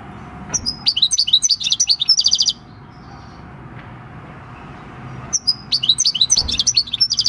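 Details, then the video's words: Six-year-old wild-caught goldfinch performing its native field song, 26 December 2019: a burst of quick twittering ending in a buzzy trill, a pause of nearly three seconds, then another fast tinkling phrase. "Chant du chardonneret / Goldfinch song"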